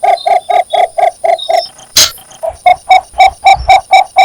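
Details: Cinnamon bittern (Ixobrychus cinnamomeus) calling for a mate, a rapid series of short, low croaking notes, about four a second, briefly broken by a sharp click.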